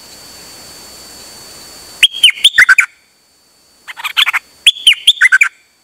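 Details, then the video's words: A Chao Khan Ngoen Dok Taeng bird on a rare outing, 8 September 2023, sings continuously. It starts with a high whistled note and runs into a rapid tumbling string of clear, chirpy notes, repeated in two dense phrases. "เสียงนกดอกแตงEp.187 จ้าวขันเงิน นานๆออกเที่ยวสับไม่หยุด!!"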